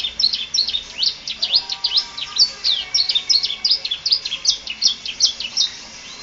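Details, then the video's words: Canary song full of varied elements, used as a tutor recording for training other birds: a fast, steady run of high chirped and trilled notes, several per second, with a faint background hiss. "Burung kenari ful isian cocok untuk masteran"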